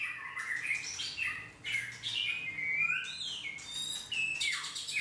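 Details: White-rumped shama delivering a lively song of looping, slurred whistles and quick trills, with a few harsh noisy bursts between phrases, against a soft steady low hum.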